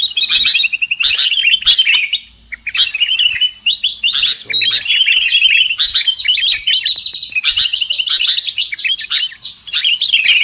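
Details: Sooty-headed bulbul lure call for trapping birds: long runs of fast chirping and trilled notes, pausing briefly twice in the first few seconds and then chattering continuously.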